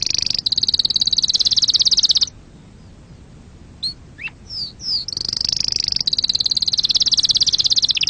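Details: Canary song for stimulating birds and teaching chicks: long high buzzy rolls, a brief pause filled with scattered slurred chips, then the rapid rolling trill returns.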